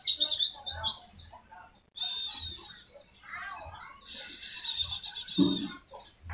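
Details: Mountain white-eye in tembakan-style song, a training recording: high chirps and a sustained thin whistle, then busy twittering phrases, with some low thuds underneath.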